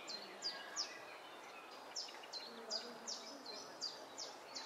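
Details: Three Egyptian goose (Alopochen aegyptiacus) goslings, accompanied only by their mother, on 17 June 2012, giving thin, high, downslurred peeps, several overlapping at about two or three per second, over steady background noise.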